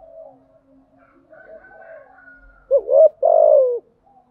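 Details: Spotted dove lure call in the gáy gọi and thúc gù styles, used to stimulate decoy birds. Quiet, mumbled cooing leads into one strong phrase: a short rising note and a sustained, hoarse, falling coo.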